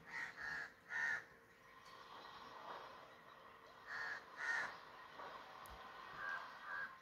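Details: Paired harsh crow caws, two near the start and two more after a few quiet seconds, with fainter calls trailing off.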